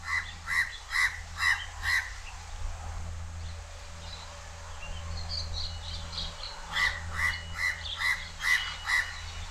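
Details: House crow calling loudly from a high perch at Changi Beach Park, Singapore: a run of five harsh, evenly spaced caws, a pause filled with soft chirps from other birds, then a second run of six caws over a low rumbling hum.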